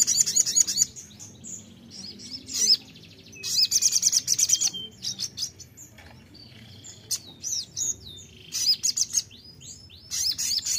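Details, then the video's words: Sogon played as a lure to make another sogon sing: rapid high chirps, trills and upslurred whistles in bursts, with short rattling phrases between quieter gaps. "pancingan sogon suara seperti ini bikin sogon anda cepat Nembak"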